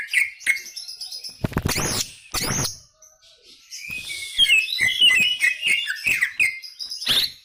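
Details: Greater green leafbird singing gacor: sharp whistled notes, then loud noisy bursts, followed by a lively run of varied chirps and twittering whistles repeated at a quick pace.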